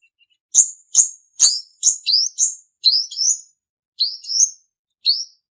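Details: Male purple-throated sunbird singing a song used as a lure for trapping: short, high, sharp chirps with rising and falling inflections, given in a steady series about twice per second. No other sounds are heard.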